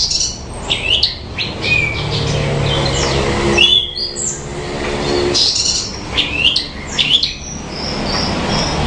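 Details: Horsfield's bushlark (branjangan) singing a melodious, varied song of short high whistles, slurred chips and thin notes in uneven bursts, over a steady low rumble.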